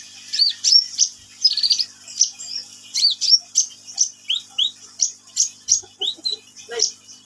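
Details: Energetic sunbird song of short, very high chirps. Each note swoops up or down and repeats steadily about twice per second, mixed with thin sharp ticks.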